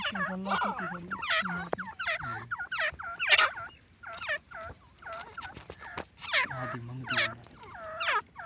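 Grey francolins calling in a busy overlapping chorus: loud, shrill, nasal notes repeated quickly, rising and falling, with several birds calling over one another.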